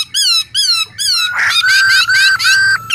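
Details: White-throated laughingthrush, apparently a male singing with a female: loud, rich whistled phrases, three arched notes then a run of long, level ringing whistles, repeated rapidly with a squeaky, bright quality.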